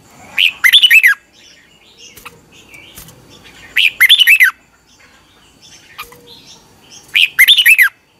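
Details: A caged red-whiskered bulbul sings in the morning: three similar cheerful, swooping whistled phrases, each under a second, repeated about every three seconds, with a few faint clicks between.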